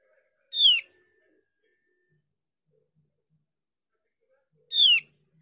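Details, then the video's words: Javan grey-throated white-eye gives two brief, bright, sharply falling calls about four seconds apart, with silence between; the call is used as a lure to make other birds of its kind answer. "Dengan pancingan opior jawa ini opior jawa bahan atau opior jawa macet pasti nyaut"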